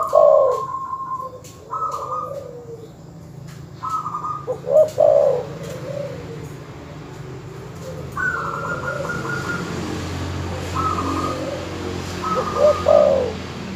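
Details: Terkukur or perkutut dove calls used as a master recording to provoke rival birds: low cooing phrases with bright accented notes, alternating with higher, flat, trilled notes, over a steady background hum.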